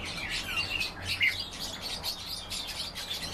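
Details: European bee-eater calls: a quick run of bright, trilling chirps, some rising and others falling, repeated several times a second over faint low background hum.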